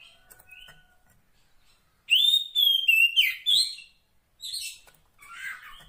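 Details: Wild female Oriental magpie-robin (kacer poci) calling for its mate: a soft thin note, then a loud burst of clear whistles and buzzy slurs, followed by quieter scratchy chatter.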